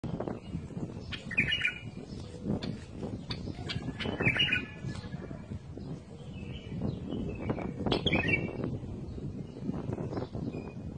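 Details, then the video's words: Bulbul singing: three short, bubbly warbled phrases near 1.5, 4 and 8 seconds over a steady background of clattering, rustling noise. "تغريد بلبل"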